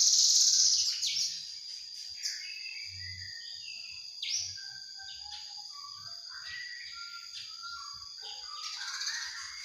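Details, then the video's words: Juvenile Javan bush lark, heard in a mastering recording, opens with a loud buzzy burst, then softer scattered whistles and short chirps at varied pitch over a steady faint high hum, rising again at the end. "Anakan branjangan"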